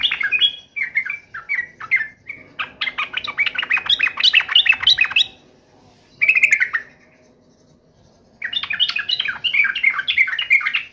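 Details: Sooty-headed bulbul in agitated, full fighting mode, delivering bursts of bubbling, chattering phrases of quick rising and falling notes, separated by short silences.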